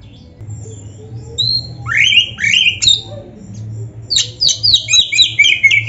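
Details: A white-rumped shama sings loud downward-sweeping whistles, then a fast sequence of sharp chirping notes repeated about four times a second, over a steady low hum.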